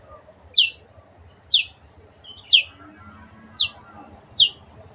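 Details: Cendet, the Long-tailed shrike, in a recording meant to make pet birds sing: five crisp, piercing notes dropping in pitch, roughly one per second, against soft background murmur and hum.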